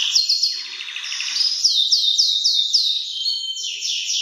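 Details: A Belgian canary sings very loudly for young birds to learn from: a sharp whistled opening, a buzzy rattling roll, then a run of even, repeated downslurred notes at about four per second.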